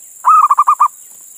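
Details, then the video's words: Local male zebra dove in Indonesia calling for a female: one brief, loud, bubbling phrase of about six quick coo pulses, slightly falling, over a steady high hiss. "Suara Perkutut Jantan Memanggil Betina"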